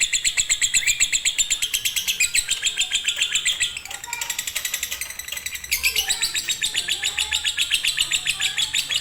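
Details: Lovebird of the fighter type in konslet singing style, kept as a master for birds reluctant to sing: long, fast, high chattering trill of sharp chirps, about four per second, briefly softer midway, with faint low voices underneath.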